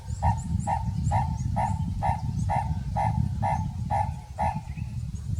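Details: Purple-crested turaco repeating a clipped, throaty mid-pitched note roughly twice a second, about a dozen notes in a steady rhythm, over a heavy low rumble like wind or handling noise and faint high chirps.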